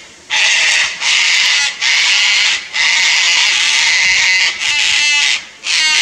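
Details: One of a nesting pair of sulphur-crested cockatoos on Queensland's Fraser Coast, Australia, alarm-calling at a lace monitor in a tree near their nest tree; loud, harsh, grating screeches in roughly one-second bursts with brief gaps.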